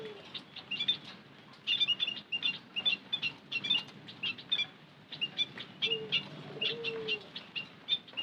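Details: Busy stream of sharp, high-pitched chirps from white-headed munias, used as a lure, coming in quick runs, with a few low, gently bending whistles near the end.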